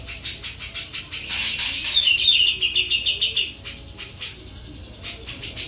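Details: Sooty-capped babbler in full, clear song: a dense high rattling chatter that swells, then a run of quick descending whistled notes, before easing back to softer rhythmic ticking.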